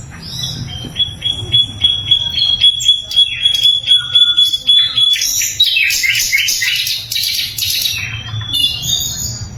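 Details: Flycatcher (sikatan londo), loud and clear, recorded as a master song for tutoring magpie robins and other songbirds; a long thin steady whistle, then dense high twittering and chattering notes, with a low background hum.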